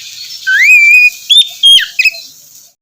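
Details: Oriental magpie-robin song used as morning therapy to lure a reluctant bird into singing: a rising whistle that levels into a long clear note, then short bright whistled notes and quick trills, with quiet faint hiss behind.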